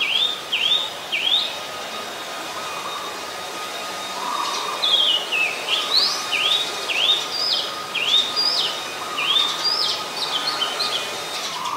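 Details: Oriental magpie-robin recorded 7 January 2021 at Ubon Ratchathani, Thailand, using a Nikon P1000; short upswept whistled notes repeated steadily, a brief pause, then a longer faster series of rising whistles with a thin steady tone behind.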